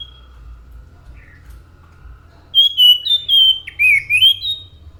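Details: Orange-headed thrush song starting after two seconds of near silence: a burst of short whistled notes with sliding, warbled phrases, ending in a rising upturned whistle.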